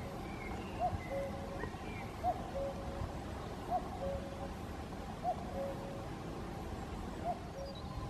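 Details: A distant common cuckoo in Caldones, Gijón, Asturias, Spain, on 8 May 2021, gives its soft, falling two-note 'cu-coo' about every second and a half, with faint higher bird calls and a low background rumble.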